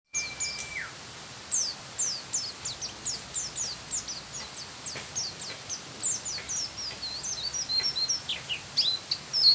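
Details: Oriental white-eye song: a long, varied run of thin, high whistled notes, many sharply falling or slurred, delivered in quick succession over a steady soft background hiss.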